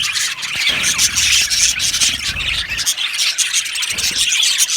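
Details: Aviary budgie colony in full chatter: a busy, high, squeaking and warbling chorus from many birds, unbroken, with occasional sharper chirps rising above the mass.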